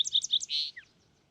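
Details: Short phrase from a fox sparrow: a quick cluster of bright, high, warbling notes runs into a fuller sustained whistle and ends with a brief downward slur, followed by quiet.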